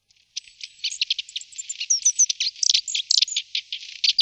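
Long-tailed tits twitter in a dense, high run of thin, rapid notes and short buzzy trills, several per second.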